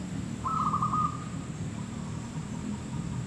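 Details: Zebra dove recorded during trapping gives one stuttering trilled coo that fades quickly, with constant low background rumble.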